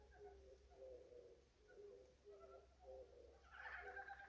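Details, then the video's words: Odd bird calls: soft, mellow paired notes repeated about twice a second, ending in a louder, brighter, rasping call, with a constant low background hum. "진짜 이상한 새소리"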